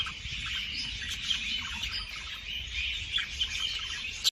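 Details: Busy budgerigar chirruping meant to prompt breeding: rapid, overlapping high twitters and squawky chirps, steady throughout, ending with a loud sharp squeak, over low background rumble.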